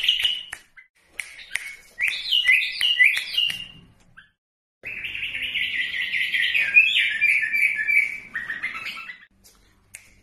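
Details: Bulbul singing in Iraq: rich warbled phrases of looping, rolling notes, a burst of sharp chips at the start, then a long continuous chattering, bubbly passage after a short pause.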